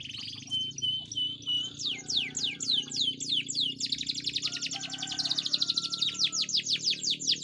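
A canary sings without pause, a bright high string of rolling trills and quick repeated down-slurred notes, several per second. A faint low hum sits underneath.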